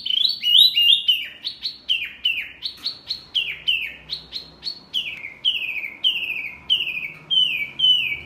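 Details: Mini wambi bird calling very noisily, said to provoke other birds: a fast series of loud, high, downward-sliding whistled notes, about three per second, steady throughout with no other sounds.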